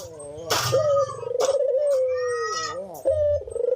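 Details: Cinnamon-headed green pigeon in lively song: a rippling, quavering whistle that drifts slowly downward for nearly two seconds, followed by a rising note and another trilled whistle, with a couple of sharp clicks.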